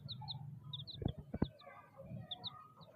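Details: Chicks peep in pairs of high, sharply falling chirps, several per second, with two sharp knocks in the middle and a steady low hum throughout.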